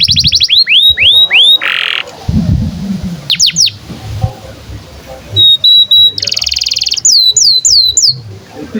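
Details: Canary tutor song for teaching young birds and coaxing silent ones to sing: short bursts of falling whistles, a buzzy trill, and a steady held whistle, broken by quiet gaps with low background noise.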